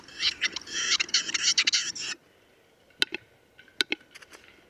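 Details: Western capercaillie in Lithuania: about two seconds of rapid dry scraping rattle, then a pause and a few sharp isolated clicks spaced under a second apart, with faint softer ticks between.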